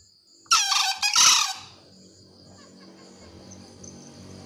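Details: Loud call of a green junglefowl: a harsh, two-part crow, a rough first burst running straight into a brighter second note, about one second long, then quiet with a steady high insect whine beneath.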